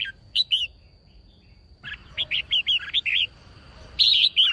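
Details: Female red-whiskered bulbul, used to stir up and provoke males into singing, giving short, bubbly, slurred notes in quick bursts of three to eight, with a faint steady high whine behind.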